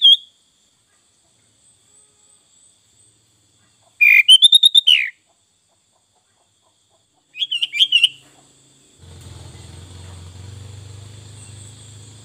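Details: Sooty-headed bulbul, locally called kutilang, singing a full song: short bursts of bright, bubbly whistled notes around 4 and 7.5 seconds, then a low mechanical hum underneath toward the end.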